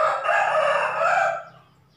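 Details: A rooster crows after about a month of therapy for a drooping comb, having once crowed only once or twice. It is kept with its hen at night and alone in the morning. One loud, hoarse, sustained crow lasts about 1.4 seconds, then fades.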